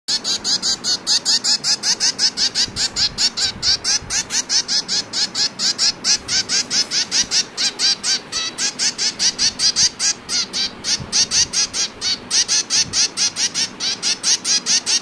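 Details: Hand-fed female zebra finch chick begging for food, rapid, high, raspy wheezing notes about two or three a second, continuous and insistent.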